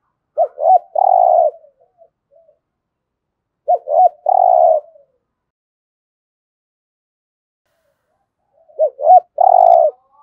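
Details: Spotted dove cooing in the 'giọng thổ' style, used to stimulate other birds to coo: three phrases, each two short rising notes then a long, low, steady coo, separated by long silences.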